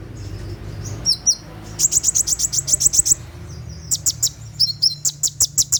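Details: 'Tembakan' night song of a caged sunbird, used for training captive birds: a few slurred whistles open into long rapid volleys of shrill clicking chirps, broken by brief sliding notes, over a low background hum.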